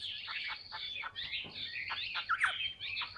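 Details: Tame, large-bodied Chinese hwamei kept in a cage and said to sing a lot, giving a quieter, dense run of buzzy slurred notes and sharp downward flicks, with faint room background.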